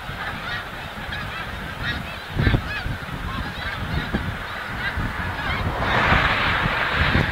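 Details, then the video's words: Migration flock of snow geese at Montmagny, the capital of the Snow Goose: massed honking with some louder individual calls, a low thump near two and a half seconds and a rushing burst near the end. "Oie des neiges / Snow goose"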